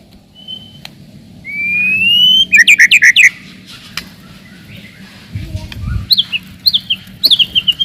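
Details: White-rumped shama song used to provoke rivals and test young birds: a long rising whistle followed by a quick run of sharp chips, then repeated descending whistled notes, with a soft low thump.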